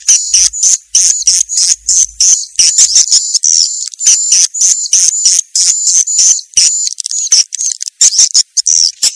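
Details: Swiftlet lure sound, Vietnamese 'janda' style: fast, very high, thin twittering chirps packed into continuous chattering runs with brief gaps, steady and piercing across the whole stretch.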